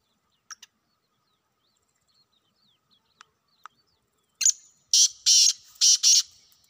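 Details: Black francolin in the wild: a few faint scattered ticks, then a loud harsh call of four to five raspy, grating bursts packed into under two seconds near the end.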